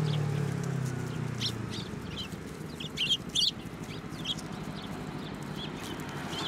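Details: Several sparrows at a Tenmangu shrine in December 2023, landing on a hand to take food; sparse high chirps, a louder cluster of sharp notes near the middle, low hum fading early.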